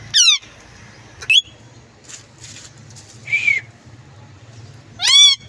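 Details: Green parrot, possibly a green ringneck, giving three loud, harsh squawks with rising and falling harmonic sweeps, spaced about one to four seconds apart, with softer chatter between them.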